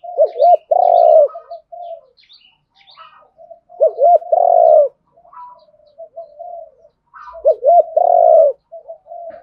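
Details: Spotted dove, cock and hen, calling to provoke a rival to fight; three phrases about three seconds apart, each two rising notes then a long coo, with soft trailing coos and faint chirps.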